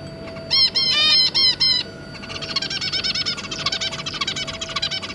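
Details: Family of zebra finches, two adults and three juveniles, 2 August 2022: a series of loud honking nasal beeps in quick succession, then steady rapid buzzy chattering notes repeated many times per second.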